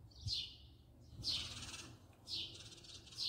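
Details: House sparrow filmed at close quarters giving three long, harsh, buzzy chirps about a second apart, each loud and slightly rasping.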